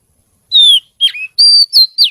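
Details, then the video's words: Oriental magpie-robin (kacer) singing a lively, melodious song: five clear whistled notes, the first a long falling whistle, then a dipping slur and bright level whistles, fairly loud with a quiet background. "Suara Kicau Kacer Gacor Merdu"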